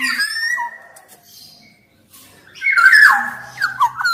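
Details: Black-naped oriole in full song, used to spur lazy orioles into singing: a long level whistle, a quiet gap, then a loud burst of rich warbling notes with a scratchy edge, indoors.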